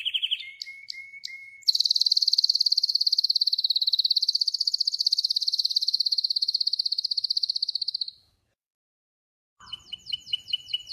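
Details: Wild Spanish Timbrado canary gives a few rising notes, then a long, even, rapidly pulsed trill lasting about six seconds. After a brief silence come quick chipping notes.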